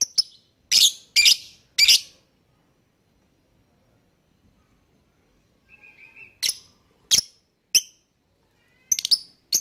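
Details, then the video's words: Lovebird chirping to lure other birds into song: a cluster of loud, harsh high chirps, a pause with a faint mid-pitched trill, then spaced sharp chirps roughly every half second to second. "Pancingan Burung Lovebird Bikin yang lain IKUTAN bunyi."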